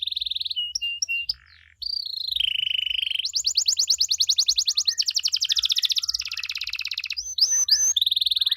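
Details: Canary singing 'gacor' with luxurious 'cengkok mewah' phrasing to draw responses from other canaries: steady whistled tones, then long fast rolling trills and a few sharp upswept notes, with faint low ticking beneath.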